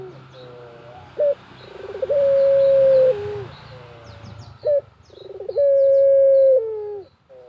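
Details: Barbary dove, pelung type, cooing in a village setting over a steady background hiss; two phrases of a sharp note, quick stuttered pulses and a long flat coo that bends downward, with faint high bird chirps.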